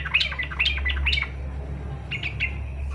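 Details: Yellow-vented bulbul in fighter style, meant to provoke other bulbuls into song; a brief run of slurred, bubbling notes followed by a softer phrase, over loud low hum.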